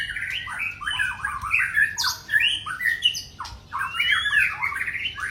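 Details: Male white-rumped shama delivering a rich, jumbled song of quick downslurred whistles and harsh chatters in repeated bursts.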